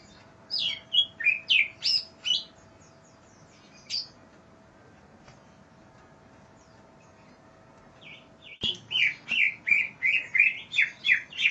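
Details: Greater green leafbird singing energetically for a training recording meant to teach other birds: bursts of sharp, varied whistled and chirping notes sweeping up and down, a lively phrase, a pause with one lone note, then a fast new run of repeated slurred whistles.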